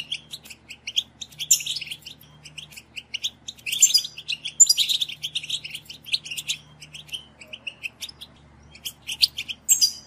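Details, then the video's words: Goldfinch song for stimulating captive European goldfinches: scattered sharp chirps and short twittering phrases, louder bursts around the middle, separated by quiet gaps over a steady low hum. "STIMULATION SINGING for GOLDFINCHES"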